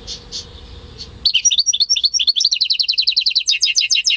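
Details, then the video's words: Home-bred European goldfinch × canary hybrid, caged, recorded in May 2015, singing: after a soft pause, bright high twitters begin, then a fast run of sharp rising-and-falling chirped notes repeated steadily to the end, clean background. "Saka Melezi Ötüşü"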